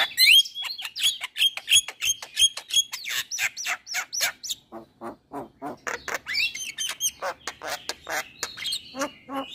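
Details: Javan myna lure song meant to restart silent or moulting caged mynas: clear high whistles over fast ticking notes, then rasping, duck-like harsh calls repeated in quick succession.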